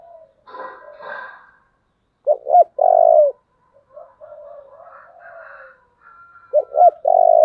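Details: Tense 'thổ'-voice 'Thúc' coo of a spotted dove, a model for decoy birds. Two loud phrases of paired short hoots and a long rolling coo, with faint softer calls and background noise between them.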